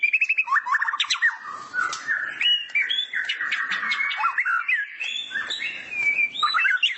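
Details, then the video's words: Caged white-rumped shama sunbathing in the morning, a tutor recording: opens with a rapid trill, then continuous mellow whistled phrases and chattering notes, varied and unbroken. "Masteran burung murai batu saat di jemur pagi pagi"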